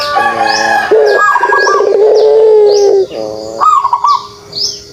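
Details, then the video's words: Pelung dove in kugeruk call: a buzzy, burbling onset flows into a long, sustained, low coo fading toward the end, with bright chirps of small birds sounding overhead. "suara kugeruk burung puter pelung"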